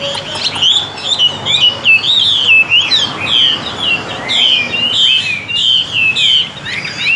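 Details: Chinese hwamei, a tame male sold as a fighting bird, sings a loud continuous song of varied, looping whistled phrases, rapid slurred notes rising and falling without pause.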